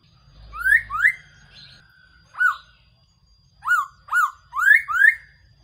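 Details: Decoy recording of a Black-throated laughingthrush used for trapping: bright upward-sweeping whistles, first a close pair, then a lone note, then a rapid run of four rising whistles near the end, with a faint low rumble early.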